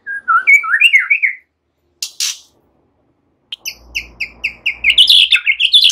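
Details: White-rumped shama (murai batu) in relaxed training song mimicking cililin and ciblek: a burst of twisting whistled notes, a harsh rasp, then a steady series of paired chips speeding into a rich warble over a low hum.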